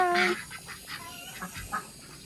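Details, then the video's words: A duck lets out one loud, nasal honking quack as water fills the pond, followed by a few softer clipped quacks over the background of running water. "ducks noise while I fill pond"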